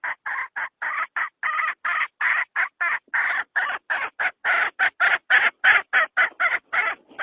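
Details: A hen's trapping lure call for wild chickens: a long, unbroken stream of short, harsh clucks at around three per second, some coming in quick pairs.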